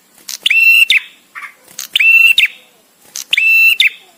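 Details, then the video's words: Visiting male bar-winged prinia, sung with pauses for teaching caged birds: three ringing level whistles with abrupt clicky onsets, plus a short softer chirp between the first two. "suara prenjak tamu JANTAN!!! dengan jeda cocok untuk masteran"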